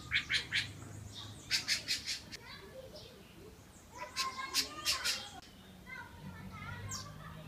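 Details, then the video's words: Thrush fiercely defending its nest with chicks at Barra do Jucu, Vila Velha, Espírito Santo, Brazil, in spring, October 2014; harsh, buzzy scolding bursts come in quick runs of three to four, separated by pauses, over a low rumble. "Sabiá defende fortemente o ninho com filhotes!"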